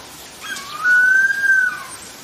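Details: A harpy eagle in a forest, perched above a tree, gives one long, thin whistled wail, holding a steady high pitch for about a second before fading, over a quiet background.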